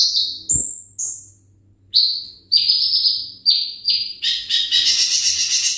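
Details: Kept olive-backed sunbird (konin, ringgit type) with a series of sharp high whistles that breaks into a dense, buzzy trill toward the end, and a click near the start.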